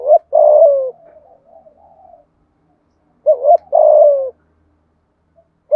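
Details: Spotted dove used as decoy, cooing in 'thúc gù' style to draw wild doves: two phrases of a quick hooked note and a long falling coo, separated by soft murmured notes and a pause.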